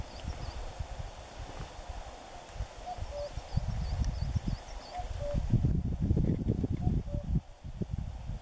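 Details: Common cuckoo at Forgoselo, Spain, 20 April 2015: soft, low two-note cu-coo, the second note lower, repeated three times about two seconds apart, under heavy wind and handling rumble, with faint high chirps from another bird.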